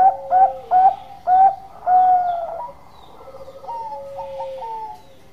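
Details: Bangkok zebra dove singing actively with a long voice: four loud, rounded coo notes about half a second apart, a longer held coo, then soft, sustained, wavering tones fading away.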